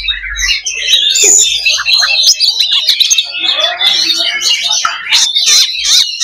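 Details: A fighting simulation of many Oriental magpie-robins (kacer): rich overlapping whistles, quick trills and harsh clicking notes, steady and dense throughout.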